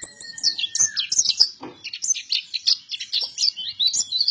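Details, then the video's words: Energetic song of a pleci buktoni white-eye: a continuous stream of high, sweet, rapidly varied chirps and warbled notes with no pauses, plus a brief thin steady whistle near the start. "PLECI BUKTONI GACOR"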